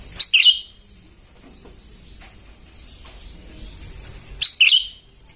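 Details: Sooty-headed bulbul chicks calling for food, a lure recording: two bursts of rapid, slurred high chirps separated by about four seconds of faint hiss and a steady high tone.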